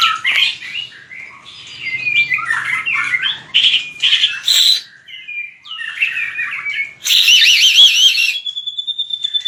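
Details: White-rumped shama fighting song used for voice training: a fast, varied run of sharp whistles and chips, then a high rapid warbled trill and a steady thin whistle at the end.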